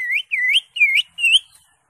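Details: Gacor ngentrok song of the cucak hijau, greater green leafbird: four bright whistled notes, each dipping slightly then rising at the end, spaced evenly in under two seconds, with no other sounds.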